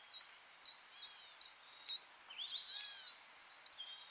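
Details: Varied sittellas in the Capertee Valley, Australia, nesting period from eggs to fledglings; several birds give thin high twittering notes, short rising and falling chips, clustering into a busier overlapping burst midway, with quiet hiss behind.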